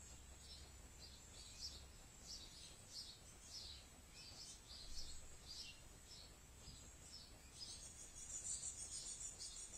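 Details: Young great tits begging on a rainy day at a year-round feeder, where parents still feed them after they have left the nest, give high, thin, hissing chirps, one or two a second and sometimes clustered, over low wind rumble.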